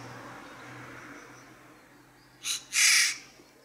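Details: Eurasian jay shouting: after a quiet stretch, two harsh, hoarse screeches, a short one followed by a longer rasping one, broad and noisy in tone.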